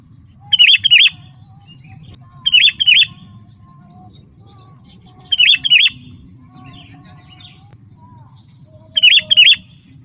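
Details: Sooty-headed bulbul in lively gacor song, used to lure wild bulbuls and tutor caged birds: four bursts of bright, bubbly whistled notes, each about half a second long and spaced a couple of seconds apart, over a low background hum.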